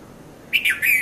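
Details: Early-morning red-vented bulbul at Mount Lavinia, Sri Lanka, recorded 5:30 to 5:40 a.m.: three quick liquid notes in a cheery burst, the last held and gently falling, with little else audible.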